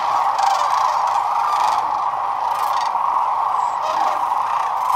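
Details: A massed flock of sandhill cranes, some 12,000 birds at Whitewater Draw, recorded February 19, 2021; countless overlapping rattling bugles form a continuous, even din with no pauses.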